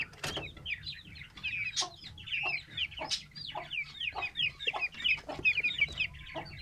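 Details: Home-bred Aseel chicks, a Vietnamese kala nawab and shamo cross: several chicks peep continuously with high, thin, wavering cheeps, several each second, overlapping, mixed with sharp taps and knocks.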